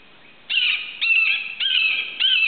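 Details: Red-shouldered hawk in Florida near Suwannee River State Park, July 2011, perched over a recently cleared lot and calling to its nest-mate with four strident, slightly descending screams in quick succession.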